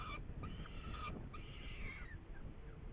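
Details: Saker falcon in Hungary on 8 May 2019, with prey, giving two long, harsh, drawn-out calls, each about a second, falling away at the end, over a steady low rumble of wind.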